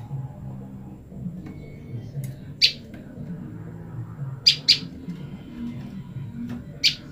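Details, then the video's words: Female olive-backed tailorbird separated from her mate, calling out: a lone sharp high chip, a quick double chip two seconds later, and another single note, over a low rumbling background. "prenjak lumut betina memanggil pasangannya"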